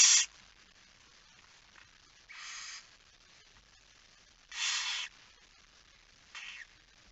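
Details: Barn owl nest at night during feeding, 10 September 2019 at 22:45. Four breathy hissing bursts of uneven loudness, spaced about two seconds apart, over a quiet background.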